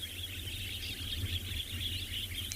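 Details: At sunset on 3 February in the Kalahari, South Africa, a distant flock of Wattled Starlings keeps up a loud, steady, high, wheezy chatter of many overlapping calls over low wind or engine rumble.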